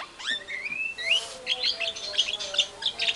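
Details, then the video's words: Vigorous white-rumped shama song, used to rouse other shamas: a long upward-sliding whistle and a second rising whistle, followed by softer rapid chattering notes. "PANCINGAN MURAI BATU GACOR BONGKAR MATERI SEREM, SEKALI DENGAR MURAI NYAUT LANGSUNG EMOSI"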